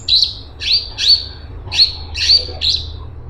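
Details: Straw-headed bulbul (cungkok) in full, energetic song: loud, rich whistled phrases around a high pitch, each a quick rising-and-falling warble, delivered in bursts roughly every half second with a faint low hum behind.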